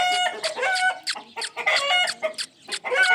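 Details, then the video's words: Ringneck parrot kept as a pet, giving rapid rough chatter and short harmonic squawks that run almost without a break. "amazing sounds of my Ringneck parrot"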